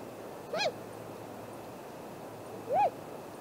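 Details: Great grey owl at its nest tree in early morning, 7:15 am on 2 April 2018; two short, hoarse, downward-arching calls about two seconds apart over a quiet, steady background hiss.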